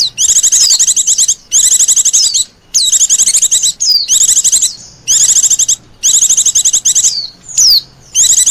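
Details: Lure call of the Oriental white-eye for wild birds: long, loud bursts of very fast high chattering trills, each about a second, with falling whistles between.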